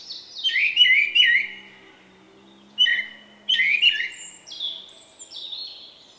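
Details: Shy Common Blackbird with an unusual song, recorded March 2024, gives paired fluted whistles with rising and falling inflections, then another short phrase and trailing high twitters; a faint low hum sits beneath.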